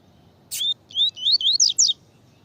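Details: Double-collared seedeater (coleiro tui-tui) song with a female calling, used to warm up males and train them for song: a sharp high note, then a quick series of clear whistled, slurred notes that rise and fall, over a faint low hum.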